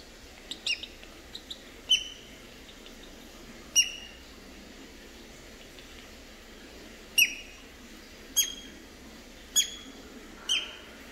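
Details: Three-week-old boat-billed heron chicks at Prague Zoo give thin, high, sharply dropping chirps, single or in quick pairs, at uneven intervals a second or more apart over a quiet background.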